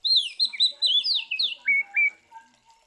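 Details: Fighting song of an Oriental magpie-robin, meant to rouse rival magpie-robins: a fast chain of bright, falling whistles that ends in two steady, lower whistled notes, then faint soft notes trailing off.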